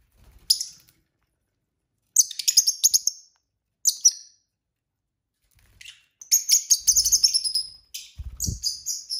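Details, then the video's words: Several pet lovebirds singing and chirping during dinner: bursts of rapid, high, sharp chirps in quick trills, separated by short pauses, with a few soft low thumps beneath. "lovebird singing & chirping sounds"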